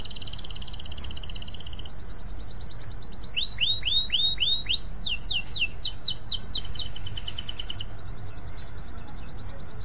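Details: Long lively canary song meant to coax other canaries into singing. It opens with sustained high trills, shifts to a series of falling whistled slurs, then a rapid rattling trill before returning to even high trilling, with constant low hum behind.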